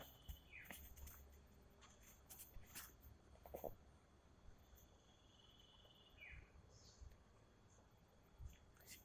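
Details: A wild common iora, one of two pairs that seem to be fighting in hill country near a river, gives a long, thin, drawn-out whistle and a couple of quick down-slurred notes, faint against low wind rumble and handling knocks.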